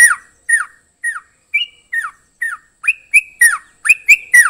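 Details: Trucukan song of loud, emphatic whistled notes, each dropping sharply in pitch, given about twice a second and quickening toward the end, with some higher rising notes mixed in, in a quiet indoor setting.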